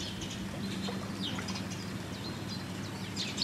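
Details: Italian sparrow recorded at Lake Como, Italy, in March 2016: brief, high chirps and tweets scattered through the clip, some in quick clusters, over a steady low rumbling hum of background noise.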